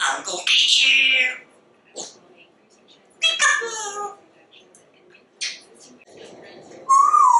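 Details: Captive African Grey parrot, a very talkative pet bird, chattering at length indoors: loud, clear, voice-like syllables and squeaky whistled phrases in bursts separated by short pauses.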